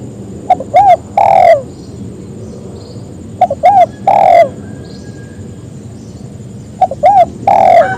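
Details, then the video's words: Spotted dove calling to others so they join in, giving three cooing phrases about three seconds apart, each two short soft coos followed by a longer, louder drawn-out coo that slurs downward; steady faint hiss in the background. "Suara burung tekukur memangil teman agar ikut bunyi"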